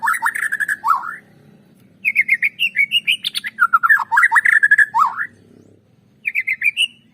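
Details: Song of the white-rumped shama, used to draw other shamas into singing: warbled phrases, then rapid repeated whistles climbing in pitch into swooping looped notes, another brief pause, and a fresh run of quick whistles.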